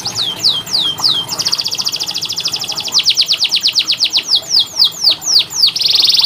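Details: Canary singing a master song meant to coax reluctant canaries into singing: slurred descending whistles, then a fast buzzy trill, then rhythmic sweeping notes about four per second, ending in another dense buzzy trill.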